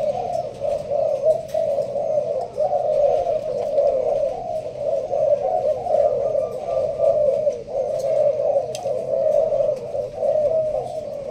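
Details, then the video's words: Leaf-blind Malaysian spotted dove from Binh Duong, Vietnam, performing sparse thúc gù cooing: a long, even series of deep, purring coos about once a second, with faint background noise and clicks. "Malaysia thúc gù bài thưa. thích hợp ae nuôi kiểng nghe gáy gù"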